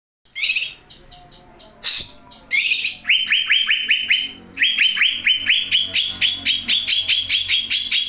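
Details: Young greater green leafbird already singing strongly: a few harsh bursts, then long runs of rapid repeated upslurred whistled notes, bright and clear, delivered in quick series.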